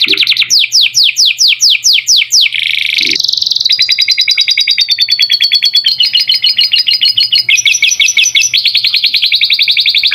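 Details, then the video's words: Canary tutor song with lovebird-style phrases, meant as a long training recording for young birds: loud, high, rapid trills, starting with sweeping downward notes, then a buzzy rolling trill and shifting chattering phrases without pause. "Masteran kenari isian lovebird"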